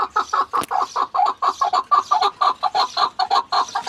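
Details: Steady rapid chuk-chuk series from a chukar partridge, loud, evenly spaced notes repeated several times a second throughout.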